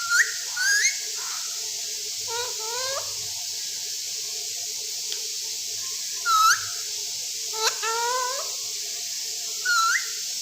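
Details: Talking rose-ringed parakeet giving scattered bursts of sharp whistled notes and harmonic upslurs, some in quick stepped series, separated by quiet pauses with a steady background hiss.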